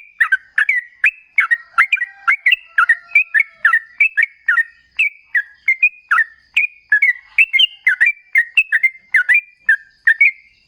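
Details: Sooty-headed bulbul, local name trucukan, in a long rolling lure song to trigger other birds to respond: unbroken series of clear chirpy whistles, dipping and rising, about three notes each second.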